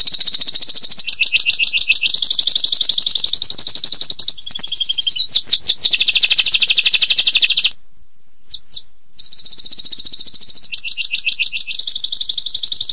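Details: Canary in long-duration song: continuous rapid trills shifting between pitch levels, a brief rising whistle run, a short near-silent pause, then resumed fast rolling trills.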